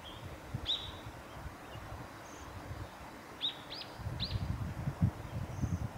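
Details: Japanese waxwing at Hadano, Kanagawa, Japan, on 13 February 2021, giving thin, high, slurred notes, about five scattered across six seconds, over a steady low rumble of wind and background noise.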